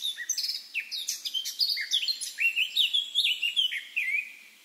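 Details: Eurasian blackcap in the wild delivering a busy warble that turns into clear, loud fluted whistles, the phrase fading out at the end.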